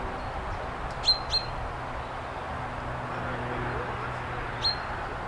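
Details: Common chaffinch (Fringilla coelebs), call.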